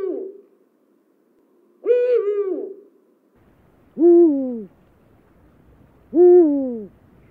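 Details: Eurasian eagle-owl calling: a short hoarse note, then a longer rough, nasal call, followed by two deep, downslurred hoots about two seconds apart.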